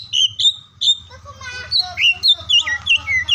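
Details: Oriental magpie-robin song used to encourage quiet or lazy birds to sing, recorded through morning, midday and afternoon: clear whistled notes, then a warbling, rising and falling phrase of sweet varied tones over a low background hum.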